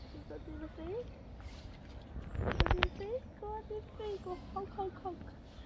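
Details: Black swans giving a run of short, musical, bugle-like notes, some sliding upward and others held level, repeated through the recording; a burst of loud knocking clicks sounds midway, over low background rumble.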